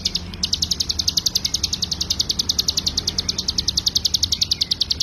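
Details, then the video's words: Full 'ngebren' song of a mountain prinia (ciblek gunung) used to tutor cagebirds: a quick, regular sequence of piercing high notes continuing without pause after a brief start. "CIGUN GACOR FULL NGEBREN"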